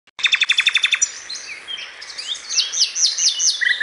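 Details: Common nightingale (Luscinia megarhynchos), song.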